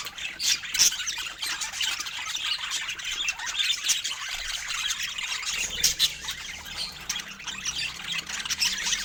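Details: Budgerigars kept as pets make sweet sounds while eating fruits: continuous chatter of sharp, raspy squawks and quick high chirps from several birds, with louder bursts near the start and middle.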